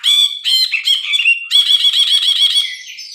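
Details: Vigorously singing bulbul (brinji), used to tutor songbirds: rapid series of harsh, nasal, buzzy notes run together into a continuous rattling trill that fades at the end.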